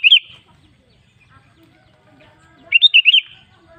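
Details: Sooty-headed bulbul song used as a lure to get caged bulbuls singing. A quick bubbly burst of high, bouncy whistled notes opens, then near-silence with faint background murmur, then a longer run of five lively looping notes.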